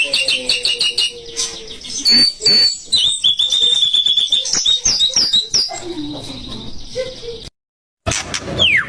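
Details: Rival-provoking song of a white-rumped shama: high, rapid whistles and clicking notes in dense bursts, a few lower sustained tones, and a short silent break near the end.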